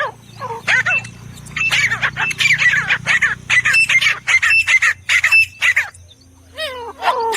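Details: Grey francolin (teetar) giving bursts of shrill, jumbled repeated notes over a steady low hum. The calls end with a couple of descending slurred notes.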